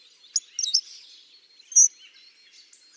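A Hawfinch gives sharp, very high, clicking 'tzik' notes, a few at a time and irregularly spaced, over a faint background hiss.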